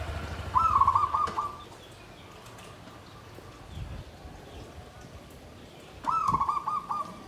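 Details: Zebra dove in a bamboo cage, singing the tumpang sari, klabang kapipit style: two short, rattling, trilled coo phrases about five seconds apart, with quiet clicks and a low hum between.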